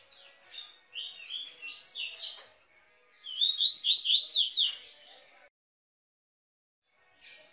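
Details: Captive-training recording of a double-collared seedeater's Tui Tui song: a loose series of high, sharp slurred notes, a pause, then a louder fast phrase of repeated sweeping notes, followed by a short final chip.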